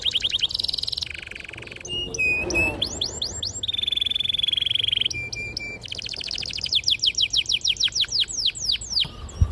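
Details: Vigorous long-rolling canary song, used to prompt young canaries learning to sing: high whistled notes, a lower buzzy trill, a sustained even roll mid-clip, then quick downward-sweeping repeated notes.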